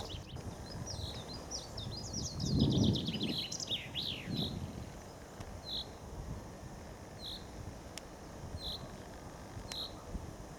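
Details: Common chaffinch in spring song on the Ob riverbank outside Novosibirsk, Siberia, among several singers. A descending cascade of quick notes ends in a slurred flourish, followed by short isolated chirps repeated every second or so over low rumbling noise.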